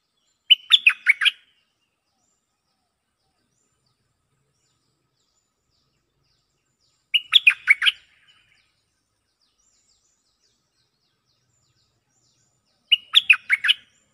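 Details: Cream-vented bulbul lure song in reply to a resident bird: the same short bubbly phrase of rapid chirps sung three times, about every six seconds, with silence between.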